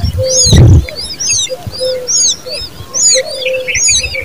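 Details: Young common babblers call loud and near: sharp, high, down-slurred squeaks come in small clusters roughly every second, after an early low thump.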